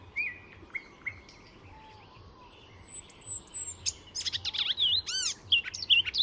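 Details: Mimicking Icterine warbler at a Swedish reserve north of Stockholm: thin high drawn-out whistles open the phrase, followed by a loud jumble of sharp chirps, swooping notes and rapid trills, with a low rumble beneath.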